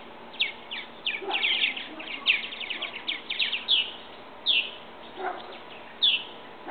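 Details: Young purple martins leaving their bird house nest for first flights: a rapid cluster of crisp descending chirps early on, then single louder chirps spaced about a second or more apart.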